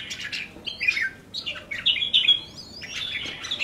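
A red-whiskered bulbul sings a lively run of bright, whistled and chattering phrases, mid-high and rapid, some notes sliding up or down, with brief pauses between bursts.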